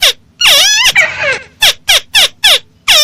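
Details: Crake lure sound for bird trapping: a whining, wavering squeal followed by a string of short, sharply downslurred squeaky notes evenly spaced about every third of a second.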